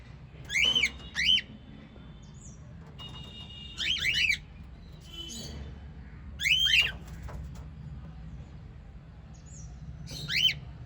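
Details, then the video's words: White lovebirds kept indoors; bright, piercing chirps come in pairs and short bursts every couple of seconds, separated by gaps with a soft low hum. "White Little LOVE Birds Chirping Sound"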